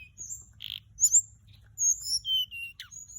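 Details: Flycatcher lure song: short high whistles and a buzzy burst, then longer pure whistled notes sliding downward, closing with a sharp downward tick.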